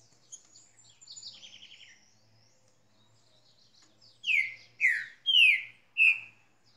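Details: Green-winged saltator, called a spirited bird, giving soft high twittering followed by four loud, rich whistled notes, each sliding downward, in quick succession; quiet background hum.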